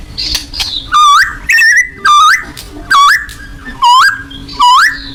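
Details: White-rumped shama giving a loud song of repeated upslurred whistles, each with harmonics, about one per second, six in all, over a faint steady hum.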